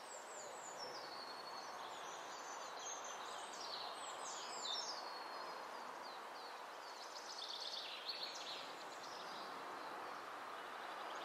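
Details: A wren sings high, rapid trills that tumble downward in bursts, probably singing to its mate in the nesting season from late April, with song lasting about three minutes; steady rushing noise like wind or water runs underneath.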